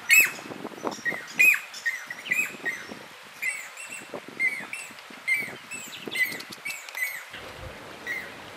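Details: Nest-building Southern masked weaver male among a flock sharing trees at Mopani Rest Camp, Kruger National Park, in November 2010: continuous twittering chatter with sharp, wheezy notes repeated about once a second, briefly quieter near the end.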